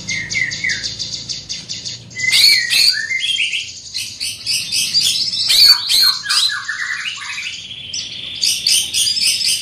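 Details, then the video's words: Dense, rich song of a big-bodied greater green leafbird with a loud, penetrating voice: a few falling whistles, then long tumbling sequences of sharp, varied notes and chatters. "Burung Cucak Ijo Body Besar Suara Tembus Joooos"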